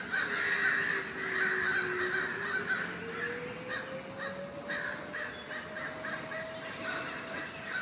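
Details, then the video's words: Crows in a forest mobbing a great horned owl, calling noisily and flying close to it; rapid, harsh caws repeat about four times a second in a continuous racket, over a steady low hum. "A great horned owl mobbed by crows"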